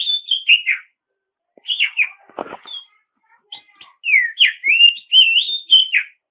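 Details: Oriental magpie-robin singing to provoke rival birds into singing. Melodious whistled phrases are broken by a short scratchy rustle, then a long, lively run of sliding notes.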